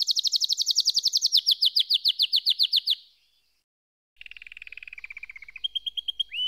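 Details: Canary giving about three seconds of fast, rhythmic falling notes, then a pause, followed by a lower buzzy trill and a short steady whistled tone.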